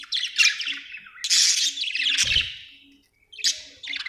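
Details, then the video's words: Budgerigar chirping: bursts of dense, scratchy warbled chatter high in pitch, separated by short pauses, with a steady faint low hum in the background. "budgie chirping sound"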